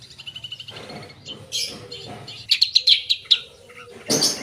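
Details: Long-tailed shrike singing vigorously with a song full of mimicked phrases: soft rapid ticking, then a burst of sharp, high, tightly repeated chirps and a final loud harsh rasp.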